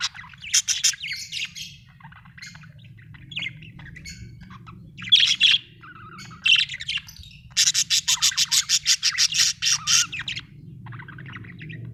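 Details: Budgerigar chirping in scratchy warbled bursts, then a fast rhythmic series of about ten sharp harsh chirps in a row, fading into soft chatter; low hum throughout.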